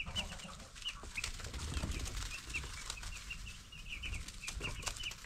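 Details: Broiler chicks ten days old peep in short high notes throughout while wing flutters, scuffling and a low drone fill the background.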